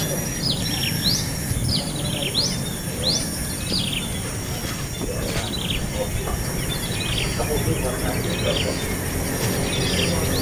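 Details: Hungry baby bird, impatient to be fed, giving repeated sharp upslurred chirps about once a second over a steady low rumble of background noise, with a faint high whine throughout.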